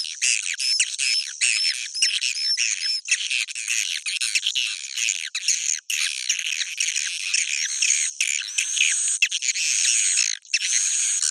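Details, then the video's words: Swiftlet roosting chatter in the Bhayangkari style: a crowded, squawking mix of rasping notes and looping upward whistles, densely layered throughout with hardly any silence. "Suara Inap Walet Bhayangkari"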